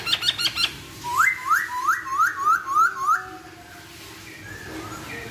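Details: Chinese hwamei song opening with a few quick high chips, followed by six clear whistled notes, each sliding upward, repeated about every third of a second, then fading to quiet.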